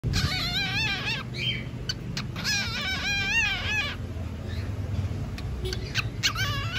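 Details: Pet cockatiel, bored again and starting to talk: bursts of warbling, harmonic whistles that wave up and down, in two long runs and a short final burst, over a steady low hum and background noise.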